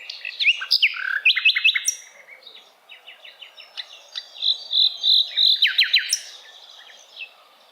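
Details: Asian brown flycatcher song used as a tutor recording for other cage birds: quick high chips, downslurred whistles and short rattled series, a softer stretch of repeated ticks, then steady whistled notes and a fast trill.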